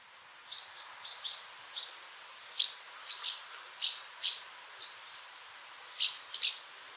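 House martin: short, dry, chirruping notes in quick irregular bursts, roughly a dozen over several seconds, high-pitched with a faint hiss behind.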